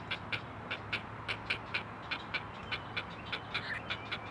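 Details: Great blue heron chicks, four together at the nest, call to their mother on a live camera: sharp, dry ticking notes repeated roughly 100 times per minute, fairly even, against a steady low hum.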